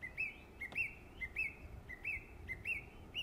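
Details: A song thrush in West Cornwall, England, sings its summer song: a short rising whistled phrase repeated about seven times in quick succession, roughly every half second, with a single sharp tick early on.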